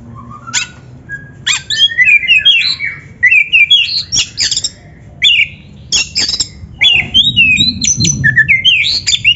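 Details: Magpie-robin (kacer) song used as a training recording for young, practising or reluctant-to-sing birds; loud varied phrases of whistles, sweeps and harsh notes in bursts between short pauses, with a low hum beneath.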